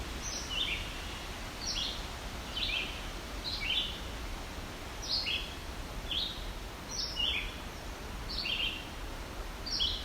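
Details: Red-eyed Vireo singing in fairly dense woods on the Bruce Peninsula: short, bright, slurred phrases, one about every second with brief pauses between, over a soft woodland hiss.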